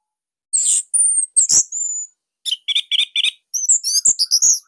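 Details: Bali Orange-headed thrush with a unique, tight and loud song used as a master for other thrushes; high buzzy notes, a thin whistle, then a rhythmic series of repeated chips and fast twitters.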